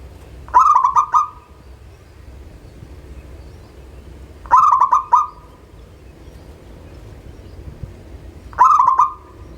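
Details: A local zebra dove, played as a lure sound to prompt reluctant birds to sing, repeats its call three times, about every four seconds. Each call is a quick stuttering run of notes that ends in a soft, rolling trilled coo.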